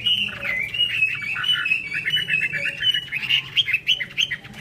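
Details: Chinese hwamei giving hót xòe song during an eagle-wing display: a hurried, continuous run of warbled whistles and chatters, somewhat rough, over a noticeable background hum.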